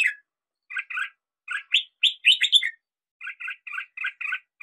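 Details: Red-whiskered bulbul song from hills: paired chirping notes, then a louder burst of quick up-slurred whistles, followed by a steady series of short doubled chirps repeated about four times a second.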